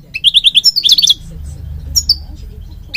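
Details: European goldfinch from Morocco, recorded for training birds; a short series of repeated chirps and twitters, then sparse notes over a low background hum.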